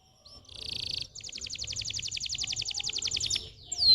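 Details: Canary song used to stimulate young or reluctant canaries to sing: a buzzy high trill, then a long fast run of repeated rising notes at about six per second, ending with a sharp whistled upslur.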